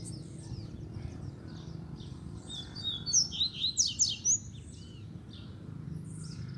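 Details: Male double-collared seedeater, a wild bird that came to a cage, delivers repeated face-to-face song toward a female: loud, rapid, buzzy-whistled notes in a burst of about a second, amid a faint chorus of other birds.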